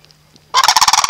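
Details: Sandhill cranes at Reifel Bird Sanctuary, thought to want food; one gives a loud, rolling, rattling bugle, about half a second of rapid guttural pulses after a quiet start.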